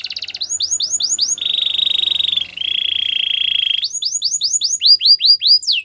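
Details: Gloster canary song alternating quick arched whistled notes with long buzzy trills held at two slightly different pitches, then returning to arched notes.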